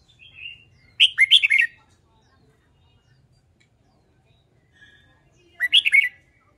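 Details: Red-whiskered bulbul being trained for fighting song: a soft note, then a loud burst of four to five quick, slurred whistled notes, and after a pause of about four seconds a second similar burst.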